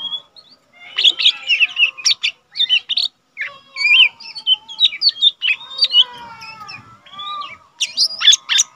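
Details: Untrained caged lesser green leafbird singing often, offered as a tutor for other cage birds. A lively, varied stream of quick chirps, slurred whistles and buzzy trills comes in bursts with short pauses, some phrases mimicking other birds.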